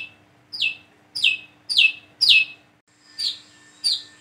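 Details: Plain-throated sunbird, locally called wiceh or kolibri kelapa, a single bird learning to sing and call: sharp high chirps sliding downward, repeated about every half second, with a steady faint hum beneath.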